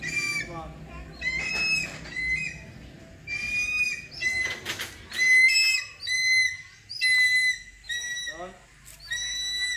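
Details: Hawk-eagle being trained, giving a series of high whistled screams, some clipped and some drawn out, interspersed with wing flapping and a low background rumble.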